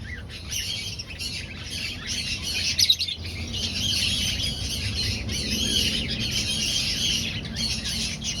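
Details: Finches in an aviary breeding colony, searching for a nest site; a dense, continuous chatter of high chirps from many birds in bursts, with a low steady hum underneath.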